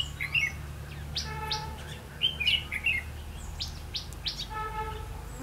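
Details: Red-whiskered bulbul decoy for bird trapping, recorded 8 October 2016: clear, lilting whistled phrases of three or four quick notes, separated by brief pauses, with a steady hum beneath.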